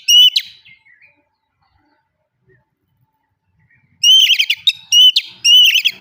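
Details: Oriental magpie-robin singing a loud open ngeplong lure song; one whistled phrase with a trailing warble, a long quiet gap, then a dense run of ringing whistles and buzzy trills.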